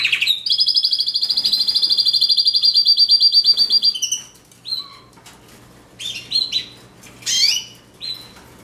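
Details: Steady, fast canary trill lasting about four seconds, followed by scattered short chirps and clipped whistles separated by quiet gaps.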